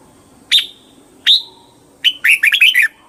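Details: Red-whiskered bulbul giving two separate sharp, bright notes about a second apart, then a fast, lively run of six or so warbled notes that rise and fall.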